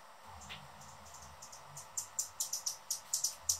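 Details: Male Anna's hummingbird guarding his favourite feeder perch gives a fast, steady series of sharp, very high chips, about four per second, after softer ticks; low background rumble underneath.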